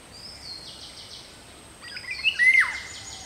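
Indian golden oriole giving a brief, loud, fluty whistled phrase of slurred notes after thin, high chirps, over steady background hiss.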